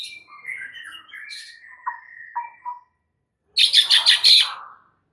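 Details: Oriental magpie-robin full-isian masteran song: soft, thin whistles and a few short falling notes, a pause, then a loud harsh burst of rapid rhythmic notes.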